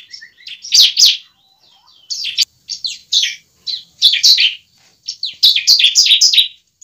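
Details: Bar-winged prinia fighting song, a lure to get a young bird fighting and singing: clusters of harsh, high, buzzy chirps in uneven runs with short pauses, ending in a dense rapid burst.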